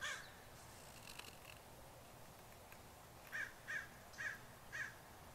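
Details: Crows, a group of over twenty on a roof, give one caw, then a pause, then four evenly spaced harsh caws about half a second apart near the end.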